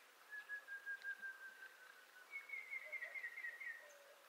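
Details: Montezuma quail from western North America calling: two drawn-out, buzzy whistles, the first lower and drifting down for nearly two seconds, the second higher and also falling, with faint background chirps.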